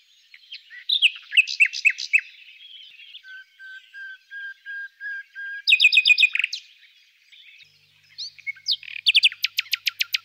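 A common nightingale sings a varied run: chirpy phrases, a row of slow pure whistles swelling in volume, then fast harsh chattering and a rapid, rattling trill.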